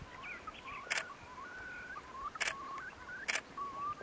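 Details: Far Eastern curlews in courtship on the Bira river, Jewish Autonomous Region, Russian Far East, early May 2016; several long whistled notes, some rising, overlapped by three loud camera shutter bursts.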